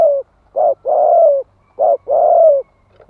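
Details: Cooing from a spotted dove meant to stimulate males, thúc gù style: paired calls of a short coo followed by a drawn-out, gently falling one, repeated in close succession with no other sounds.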